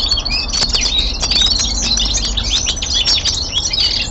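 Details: Young male common linnet kept at home gives a steady stream of high chirps and twittered notes, mixing thin whistles and rapid rattling trills, with soft low room rumble beneath.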